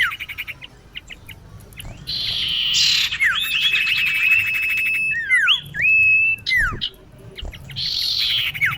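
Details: Lure recording of a female common iora calling a male: scattered clicks, then an extended buzzy rasp, a steady whistle, and short rising-then-falling whistled notes, followed by another harsh buzz.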